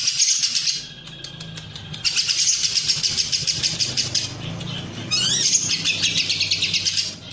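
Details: Lovebird singing a long ngekek with cililin-style filling, used to train competition birds: dense, high, rapid chattering trill in pulses of about three per second, broken by short pauses and a few rising sweeps.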